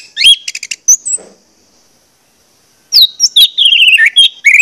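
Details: Orange-headed thrush lure song meant to stimulate singing: rapid chirpy notes, a pause of almost two seconds, then a fast run of whistled, descending and warbled notes.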